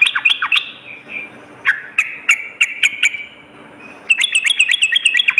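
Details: Sooty-headed bulbul lure song for morning and night: quick slurred whistles, a looser series of spaced sharp notes, then a fast run of chattering downslurs at the end.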